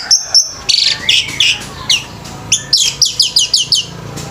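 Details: Male orange-headed thrush singing at a bird singing competition: sharp whistled notes, then a fast run of high, bright, down-slurred phrases repeated in quick succession, loud and clear over faint low background hum.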